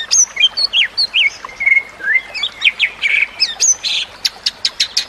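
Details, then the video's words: White-rumped shama singing, used as a master recording to train other birds, over trickling water and nature sounds: rapid high whistles, sweeping slurred notes and a long steady whistle, then quick repeated sharp clicks and a buzzy burst. "Kicauan Murai Batu yang Menggoda Telinga"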